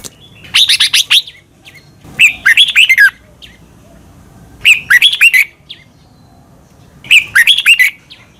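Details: Red-whiskered bulbul song from Thailand, a recording to train caged birds; four bursts of rapid, slightly harsh warbling whistles, spaced about two seconds apart.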